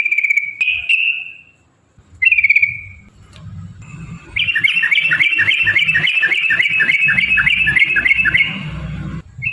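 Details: Yellow-vented bulbul in a long rapid 'ropel' song, meant to provoke other bulbuls to sing; two short whistled phrases, then a fast run of about eighteen bright, slurred notes, with low rumbling background noise.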